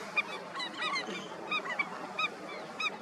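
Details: Indian skimmers calling at a breeding colony: many overlapping short nasal, yelping calls with bright harmonic notes, coming irregularly about every half second from several birds at once.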